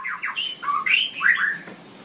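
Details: Brief burst of straw-headed bulbul song in a long run-on style, with rapid descending slurred notes and rich rising and falling warbles in a quick, fluid sequence.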